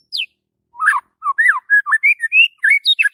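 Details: White-rumped shama singing energetically in the morning, a varied phrase of rich whistles that slur up and down, quickly alternating low and high notes after an opening high falling note.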